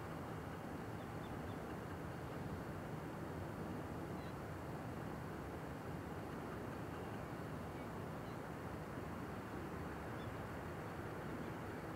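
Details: Steady low rumble of engine or vehicle noise throughout, with no animal calls heard.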